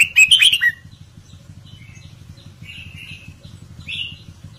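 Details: The song of a caged red-whiskered bulbul in Indo counting-flower style opens with a loud, rapid chattering burst, then gives softer, warbled whistles and a rising final note, over a faint low hum.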